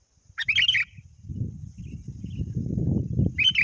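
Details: Sooty-headed bulbul calling a rival, heard as a lure call. A short bubbly chirping phrase is followed by a long stretch of low rumbling noise, and then another chirping phrase starts at the end.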